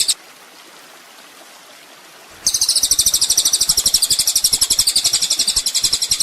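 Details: Kolibri ninja sunbird in a master recording meant for training songbirds: after two quiet seconds, a very high, fast trill of buzzy notes starts, repeated about four times per second, steady and loud until the end.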